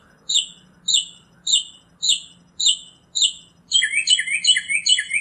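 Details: Northern mockingbird singing in nature: a phrase of six identical downslurred notes near 0.6 s apart, then a quick switch to a rapid jumble of tumbling high chirps, with a faint low hum beneath.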